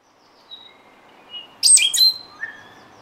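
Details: Stitchbird from New Zealand giving several calls: a loud burst of sharp, high chirping notes near the middle, with a few faint thin whistles before and a lower whistle after, over quiet background.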